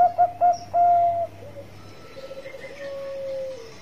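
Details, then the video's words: Singing Bangkok perkutut, a zebra dove: three quick staccato coos and one long level coo, then softer, more distant cooing notes fading away over a steady low hum. "Pancingan Suara Mas perkutut bangkok Gacor"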